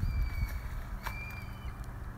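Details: A young hawk (hawklet) perched unseen in trees near an eagle nest at Roberts Bay, Sidney, on 6 July 2017 at high tide, gives two thin, high, monotonous flat whistles over wind and surf.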